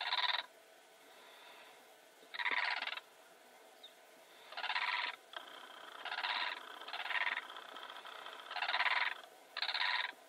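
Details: Blue crane giving a series of grating, rasping calls, each about half a second long. The calls are repeated irregularly every one to two seconds over constant low hiss.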